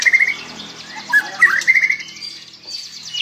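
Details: White-rumped shama singing a sweet, varied song of fast chirps and short whistled notes, with repeated high tweets and brief slurred phrases running on without a pause.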